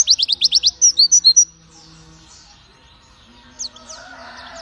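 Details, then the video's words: White-eye (pleci) delivering a quick burst of about ten sharp, high chirping notes. A quiet pause follows, then a few soft distant twitters. "THIS BIRD IS VERY SPIRIT TO SING ( zosterops )"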